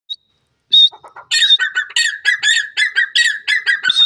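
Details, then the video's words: Grey francolin, locally called teetar, calling at home: a loud series of harsh, ringing notes repeated rapidly, about one and a half per second, after a brief squeaky opening phrase. "grey francolin bird calling,pheasant teetar ke awaz"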